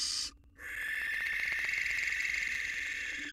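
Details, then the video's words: Male barn owl at a nest box courting a new female three days after his mate died, a fledgling beside him: a short hiss, then a long harsh rasping screech with a strong buzzy band, lasting nearly three seconds. "Male Barn Owl Moves On Quickly: Courting a New Mate Next to Its Kid"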